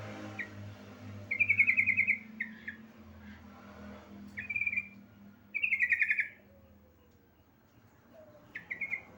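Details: A female yellow-vented bulbul calling a male gives repeated bursts of quick pulsed trills, each under a second, separated by pauses. Short chirps sound between them and a low hum runs beneath.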